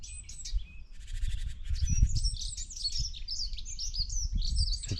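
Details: A dunnock's high, quick, jingling warble on 14 March 2024 in late winter, like a wren's song but about five times shorter, over low rumbling wind and handling noise.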